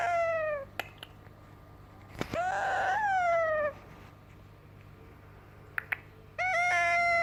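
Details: Baby yellow ringneck parakeet imitating a cat, giving falling meow-like moans: a short one, then a longer wavering call after a sharp click, and a steady moan at the end, separated by silent gaps in an indoor room.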